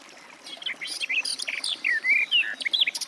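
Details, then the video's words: Rapid, jumbled warbling of the Garden warbler building after a soft start, with slurred whistles and quick chirps running continuously to the end. "Warbler garden, birdsong"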